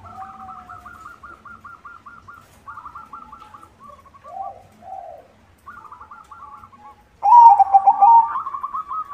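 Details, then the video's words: White zebra dove, a vigorous singer used as a lure for zebra doves: long runs of fast, even staccato trills broken by short pauses and a low burry note, ending in a sudden loud bubbling coo. "SUARA PERKUTUT PUTIH GACOR irama bagus, untuk pancingan semua jenis perkutut"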